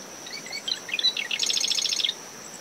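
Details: From dune vegetation around a nest, a marsh wren sings in the early morning: quick gurgling intro notes followed by an even, machine-gun trill, over wind, surf and a continuous high cricket note.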